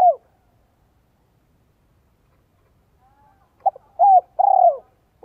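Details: Spotted dove decoy voice, 'giọng son 1 cốt lỡ' style, meant to draw in wild doves: after a near-silent stretch comes one full phrase of two short notes, a sliding coo and a vibrating drawn-out coo.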